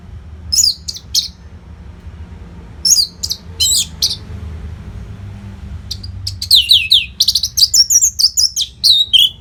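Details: Orange-headed thrush singing a continuous masteran meant to keep competition birds fit: separated clusters of high, buzzy and whistled notes, building to a long rapid run of varied chirps and slurs.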